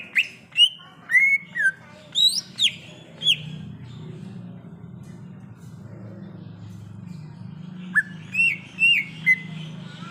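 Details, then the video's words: Greater green leafbird heard in the wild, giving bright whistled phrases with rising and falling slurs, a quiet pause of several seconds, then another short burst of whistled notes. "Suara Asli Cucak Ijo | Suara Alam Cucak Ijo"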